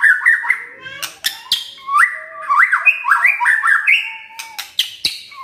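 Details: White-rumped shama song rich in varied phrases, kretekan and tembakan styles: quick looping whistled notes, rising slurs and sharp clicks in a continuous, lively flow.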